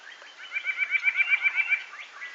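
White-breasted Nuthatch giving a quick run of about ten nasal, mid-pitched notes, roughly eight per second, with fainter calls from other birds behind.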